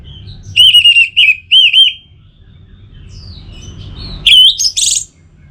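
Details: Orange-headed thrush singing a lure recording meant to spur other birds into song: a run of looping, wavering whistled notes, then a pause and a brighter burst of high, squeaky, rapid notes.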